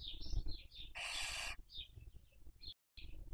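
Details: Barn owl nest webcam, Cabañeros National Park, Spain, 2023 breeding season while rearing young; a run of wavering high squeaky notes surrounds a single loud rough hiss, over faint low rumble.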